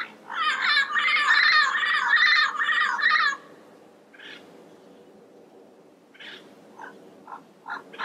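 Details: Yellow-headed parrot calling in the wild: a long, loud, grating squawk lasting about three seconds and wavering in pitch, then silence, then several shorter, quieter raspy notes in a loose, irregular series.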